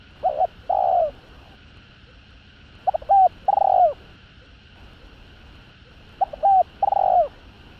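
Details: Spotted dove in the Vietnamese 'hạp bổi' voice, full calling, urging and cooing sequence, used to provoke male birds: three coo phrases, each two to three short broken notes then a long falling coo, roughly every three seconds over faint steady hum.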